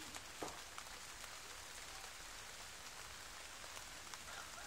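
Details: Steady rain patters on a surface, with soft drips and no clear animal voice.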